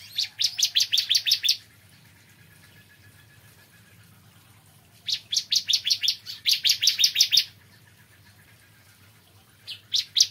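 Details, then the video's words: Three bursts of rapid, high chipping from a bar-winged prinia in the morning, each series lasting one to two seconds with quiet pauses between, over a soft low hum. "Kicauan Ciblek Kristal Dipagi Hari"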